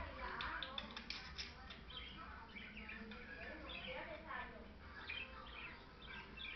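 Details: Two pet parakeets, a white male and a blue female, chatter in a busy stream of short chirps, squeaks and warbles, mostly high-pitched, over a steady low background hum.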